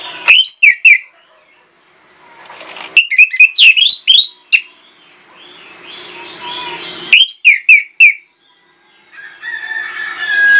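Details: Lure song of an Orange-headed thrush, loud and insistent and full of imitated phrases: three rapid clusters of bright, swooping whistled notes, each about a second long, separated by pauses with a faint background hum.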